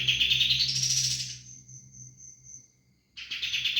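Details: Sooty-headed bulbul singing in the noisy rolling style: a high, rapid rolling trill that rises and holds, fades to a thin steady tone, then resumes abruptly, over a low steady hum.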